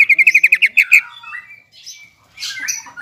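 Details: A greater green leafbird, singing to provoke a rival, opens with a quick string of about nine loud, bright notes. Quieter varied whistles and buzzy fragments follow.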